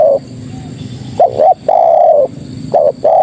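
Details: Calling female spotted dove seeking males. A long coo ends one phrase, then a quick pair of rising coos leads into another sustained, slightly drooping coo, repeated over a quiet background.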